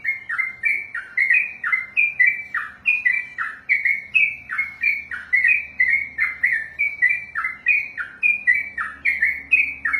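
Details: Ropelan song of a trucukan, the sooty-headed bulbul kept for contests: an unbroken ten-second stream of clear, bouncy whistled notes, each sliding down, delivered several per second with steady loudness.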